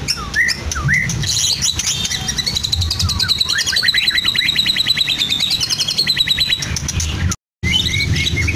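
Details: White-rumped shama, Medan type, in a cage at Blora, imitating lovebird, canary and cililin: curling whistles lead into a long rapid rattling trill of very high notes, briefly cut by a silent gap near the end.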